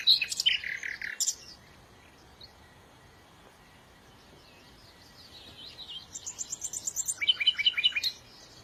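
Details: Bird song: a quick twittering phrase and a short buzzy note at the start, a quiet gap with faint chirps, then a fast, rising run of sharp high trilled notes.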